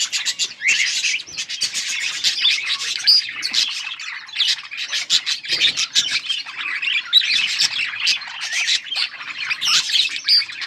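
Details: A flock of yellow budgies chirping nonstop, layered high-pitched chatter with scratchy squawks and rapid clicking notes, loud and even throughout.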